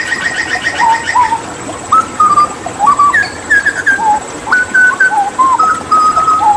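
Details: Hooded butcherbird, endemic to Papua, during water therapy. Rich, pure whistles sound in short held notes at varied pitches, some stepping up and others dropping, after faint fast chatter at the start.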